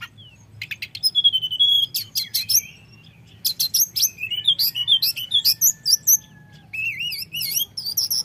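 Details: Common iora song used as a lure to provoke rival birds, in fluting and rolling style: sharp high chirps and buzzy notes, then rising and falling whistled phrases and wavering trills, with brief quiet gaps.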